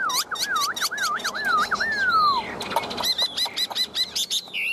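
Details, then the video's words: Caged Chinese hwamei, a well-trained bird with a big body, singing loud whistled phrases: rolling wavy notes near the start, a long falling slide, then rapid repeated upswept whistles. "Hoạt Họa Mi"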